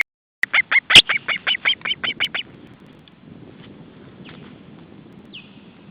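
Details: Alarm from an osprey at the nest against an intruder in July 2012, a day after ringing: a quick string of about ten sharp, piercing notes over roughly two seconds, fading slightly, then quiet background hiss and one thin whistle.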